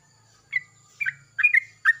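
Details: Yellow-vented bulbul calling back to another bulbul in the morning: short bubbly two- and three-note phrases separated by brief pauses, with a faint low hum behind.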